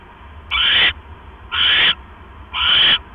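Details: Owl calling at night while bringing a rat to its mate: three harsh, hissing screeches, each about a third of a second long, repeated roughly once a second over a steady low hum.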